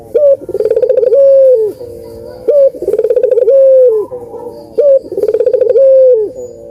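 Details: Puter dove cooing, played to prompt reluctant doves to sing: three loud phrases, each a short sharp note, a pulsed rolling stretch, then a long steady coo, repeating about every two and a half seconds.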